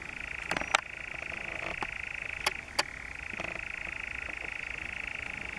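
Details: Churring European Nightjar, the Brecks, Norfolk, July 2017. A sustained purring trill continues under several sharp, loud clicks or knocks in the first three seconds.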